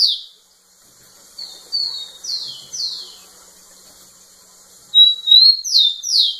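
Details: Rufous-collared sparrow singing persistently to a female: clear whistles sliding downward, a short pause, then a louder burst of a drawn-out whistle and steeply falling slurs.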